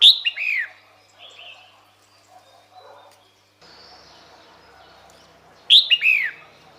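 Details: Female red-whiskered bulbul calling for males: a quick cascade of two or three falling chirps, repeated once more near the end, with quieter muffled sounds in between.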